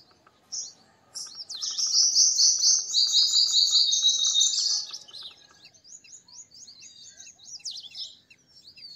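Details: After a single sharp note, a purple sunbird launches into a loud, rapid, tinkling trill lasting about four seconds, then continues with a softer series of spaced, high chips.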